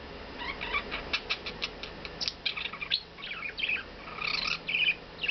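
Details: A pet male budgerigar, quiet for weeks after arriving but now singing a lot, chatters in quick, scratchy chirps, clicks and warbled squeaks on his perch indoors by a window in the morning; owner thinks he may become a talker.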